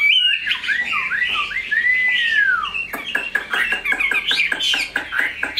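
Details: Chinese hwamei, a tame bird with a big body and very good voice, gives scattered whistled notes and a long arching slur, then short warbles over a steady rattle of clicks.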